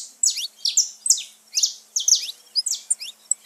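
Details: Saffron finch song to stimulate pet birds: loud high notes with falling slurs, repeated about twice a second in an even series.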